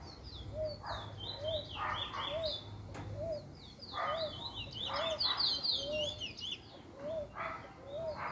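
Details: Trinidad bullfinch in its first black plumage, recorded 10/10/20, singing rapid, sweet whistled and twittering phrases in quick succession; a low repeated cooing from another bird and occasional muffled thumps run beneath.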